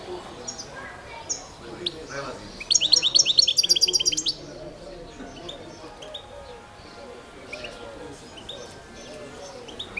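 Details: Balkan goldfinch, Carduelis carduelis balcanica, recorded for the 2022 goldfinch song world championship. Scattered chirps lead into a quick, glittering series of high, repeated notes lasting about a second and a half, then background hum.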